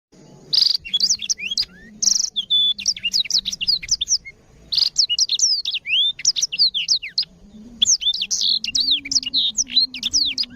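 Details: Tutor song of a black-throated canary for canaries: rapid, clear high chirps and downward-sweeping whistles in lively phrases, with a couple of short pauses and a low background hum.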